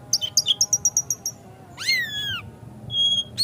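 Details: Oriental magpie-robin (kacer) lure song meant to goad another kacer into singing hard and spreading its tail: a quick run of about nine bright repeated chips, then a loud falling whistled slur and a thin steady whistle.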